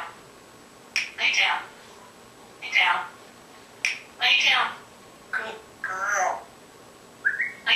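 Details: Captive African grey parrot carrying on in a dark room, unaware it is being filmed: five or six short, bright, human-like spoken phrases spaced about a second apart, ending with a higher squeaky note.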